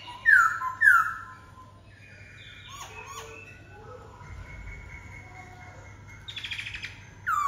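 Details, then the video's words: Black-throated laughingthrush giving two loud, clear whistled notes dropping in pitch, followed by softer scattered calls and a quiet stretch, ending with a short rapid flurry and another loud whistle. "Khướu bạc má ...!"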